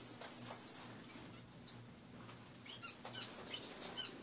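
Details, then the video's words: Caged finches calling in the morning; a quick burst of high repeated chirps, a pause with scattered single notes, then more bright tweets, low hum in background. "More Fun Just Waking Up in the Morning and Watching My Finches!"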